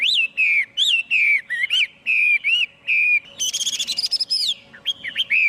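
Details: Chinese hwamei singing long, drawn-out whistled notes with downward slurs, then a high, buzzy trilled burst and more clear whistles, with no other noise.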